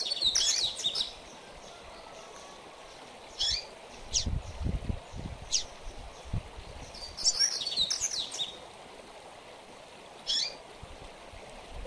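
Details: Double-collared seedeater giving mateiro-style song for training: two loud bursts of rapid, jumbled high twitters about seven seconds apart, separated by short sharp single notes, against a continuous hiss.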